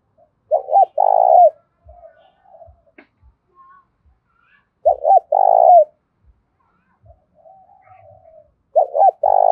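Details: Thổ pha-style fighting call from a spotted dove used to lure others. Three strong coo phrases come about four seconds apart, with faint low gurgling coos between them.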